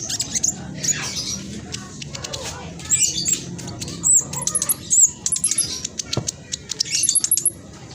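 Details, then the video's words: Speckled black sunbird in full fast song, used to stimulate other birds to sing: scattered runs of very high, needle-thin ticks and twitters, with a few brief slurred squeaks and a low background murmur. "Blacksunbird trotol gacor prospex cocok buat pancingan burung macet malas bunyi"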